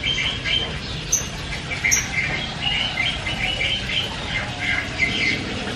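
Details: Javan myna chattering loudly with varied notes: thin high whistles and scratchy twittering phrases over steady background hiss, a few sharp high squeaks standing out.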